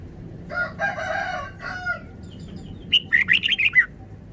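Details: Red-whiskered bulbul's quick, lively phrase of rising and falling chirps follows lower, harsher harmonic calls from another bird over a faint hum.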